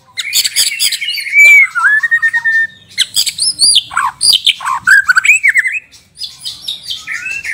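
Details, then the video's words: ['A Borneo-type white-rumped shama sings a rich, varied medley. Clicks and a bright whistle give way to a rising slur. After a short pause come fast cascades of high, swooping whistles and chattering notes, then softer whistled phrases.'] "MURAI BATU BORNEO/MURAI GEMBUNG GACOR ISIAN MEWAH"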